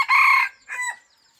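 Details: Hybrid red junglefowl rooster on a rural farm, crowing; a loud, harsh half-second note followed by a shorter, softer falling second note, then quiet.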